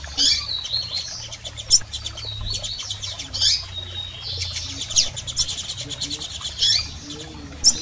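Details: Calls of female and male double-collared seedeaters meant to stimulate a male: sharp high chirps and short twittering runs, repeated irregularly, over rapid clicks and a faint low hum.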